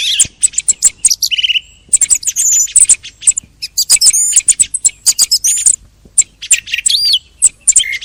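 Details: Song thrush singing near the end of the hunting season: quick varied phrases of sharp clicks, high squeaks, and a few clear whistled notes, delivered in rapid bursts with short gaps.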